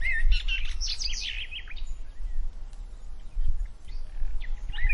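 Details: Several house sparrows nesting in nest boxes at a farmer's house beside a river in Madhugiri taluk, Karnataka, India, chirp in a busy, overlapping burst of bright, sharp notes that thins to scattered chirps, over a steady low rumble.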